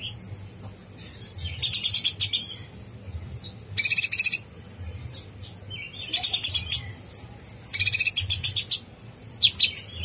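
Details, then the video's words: Konin blorok (brown-throated sunbird) in gacor master song meant to rouse other konin: four loud bursts of shrill, rapid trilling about two seconds apart, separated by softer high chips. "konin blorok gacor bikin konin bahan emosi"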